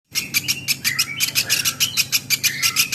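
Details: Woodpecker, a platuk beras, in a training recording for songbirds: sharp buzzy chirps repeated about three times per second in a steady series, with a faint low hum underneath.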